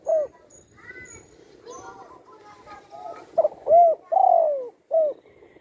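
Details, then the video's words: Spotted dove kept at home after being shot and breaking a wing, now singing freely; a short coo opens, then chirpy background notes, then a full phrase: clipped note, two hollow coos, a long falling drawn-out coo and a short closing coo. "burung tekukur,yg dulu di tembak orang kena sayapnya patah,kini sudah gacor di Rumah"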